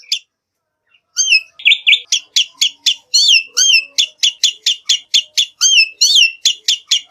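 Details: Black-winged myna song used to prompt singing in other birds: after a short gap, a fast, steady series of bright chirping whistles with occasional looping slurred notes.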